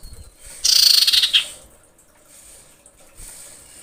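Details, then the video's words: Female common iora calling to males: a single high, rapid trilled buzz of under a second, slightly falling at the end, over quiet background. "dengar panggilan cipow betina ini"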